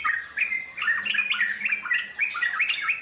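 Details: Wild Yellow-vented Bulbul (trucuk) chattering: short phrases of liquid, bubbly notes swooping up and down, running almost without pause through the whole stretch.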